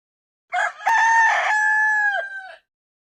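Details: Rooster giving a single full crow: brief rasping opening syllables lead into a long, level, strongly harmonic note that falls off sharply at the close, with no other sounds.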